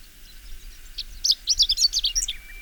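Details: A chestnut-eared bunting gives its spring-to-early-summer song, a short, rapid jumble of high, scratchy chips and twittering notes lasting about a second and a half, ending in a thin trill.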